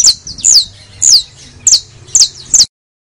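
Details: A criollo canary gives six bright, high whistled notes, each sweeping down, spaced about half a second apart.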